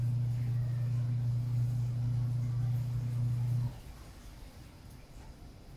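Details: A steady low mechanical hum drones for nearly four seconds, then cuts out, leaving faint quiet background noise and no animal calls.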